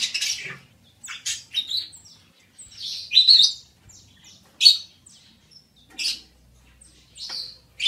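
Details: Budgerigar warbling, a quick uneven run of high chirps, trills and scratchy notes with short gaps between them.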